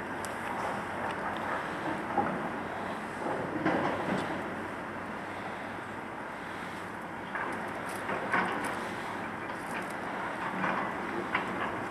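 Only wind and a rumbling, engine-like background noise with a few faint clicks are heard, with no animal calls.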